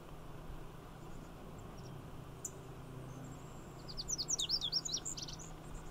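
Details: Male Lazuli Bunting singing while clinging to poison hemlock in Magnuson Park, with two males and a female in the patch; a quick high jumble of sweet, sharply slurred notes rising and falling over about a second and a half, steady low background rumble.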